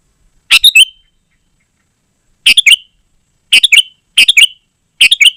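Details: Sooty-headed bulbul calling repeatedly, used to attract wild birds and as a tutor for caged birds: five quick, bubbly phrases of two or three notes, a long pause after the first, then closer together.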